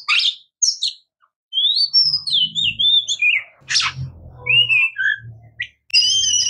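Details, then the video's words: Singing Oriental magpie-robin, locally murai kampung or kacer: long sweeping whistled phrases, sharp chirps and a clear descending slur, with low humming background noise through much of it. "Oriental Magpie Robin Singing | Suara Burung Murai Kampung | Bunyi Kacer"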